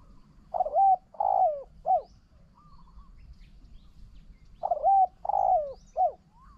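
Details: Spotted dove cooing during decoy trapping: a decoy bird answers a wild bird that coos strongly. Two three-note phrases, each a short coo, a longer falling croo and a short final note, separated by a pause of about three seconds.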